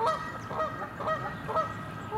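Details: Canada geese in winter at the west bay of Lake Conestee Nature Park. They give loud, nasal honks, sometimes in two-part rising notes, about every half second in a steady chorus. There is a low background rumble.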